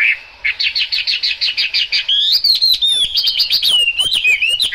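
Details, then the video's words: Hwamei song in rainfall. A fast series of about a dozen identical bright notes gives way to sweeping, slurred whistles and rapid trills that rise and dip without a break. "Họa mi hót trong mưa"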